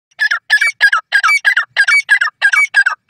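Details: Grey francolin (Sindhi teetar) calling: a loud run of about ten harsh, grating notes, roughly three per second, each a short ringing burst separated by clean silent gaps, with no other sounds.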